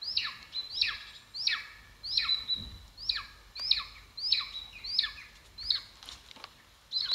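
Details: Golden eagle, Aquila chrysaetos, calling at the nest in Estonia, 2022, live camera: a run of piercing, falling squeals roughly one every 0.7 seconds, with a few clicks and knocks between them.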